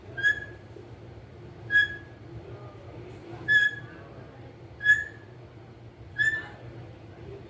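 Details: Pet green ringneck parrot said to talk, giving brief clear whistled notes at steady mid pitch, five in a row about every one and a half seconds, over a quiet indoor hum.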